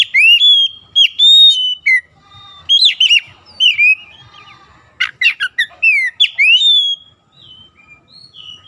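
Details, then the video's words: Oriental magpie-robin song meant to provoke silent, sluggish birds into full loud song. Bright whistled notes and quick slurs mix with sharp, scratchy chips, delivered in lively uneven phrases that fade toward the end. "PANCINGAN KACER LELET BISU | PASTI AKAN IKUT GACOR NGEPLONG GACOR"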